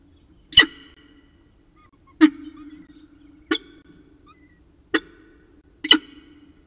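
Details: Peregrine falcon at its nest in Orange with the last prey of the day, 14 October 2019, evening: harsh, loud, broadband calls given singly about every one to one and a half seconds over a low steady hum.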